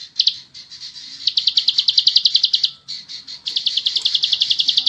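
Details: Bar-winged prinia singing in the long, rapid ngebren style: fast runs of high, buzzy repeated notes, about three or four per second, broken by short pauses, with a few stray chirps at the start.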